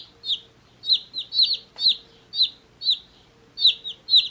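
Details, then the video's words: One-day-old baby chicks chirping: high, downslurred peeps repeated at irregular intervals, some in quick pairs, over a faint low hum. "Cute Baby Chicks Chirping Sounds"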